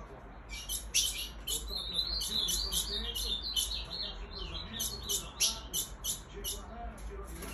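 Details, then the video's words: A female Ultramarine grosbeak calls with rapid, high, thin chirps and a wavering whistled thread, about three notes a second, over a low background hum; the call is said to excite males. "Esse piada da fêmia de azulão mãezinha vai deixar seus azulões loucos"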